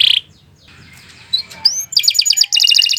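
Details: Canary singing in long, continuous 'gacor' style after a short quiet gap: a high whistled slur, then rapid bright trills of repeated sharp notes.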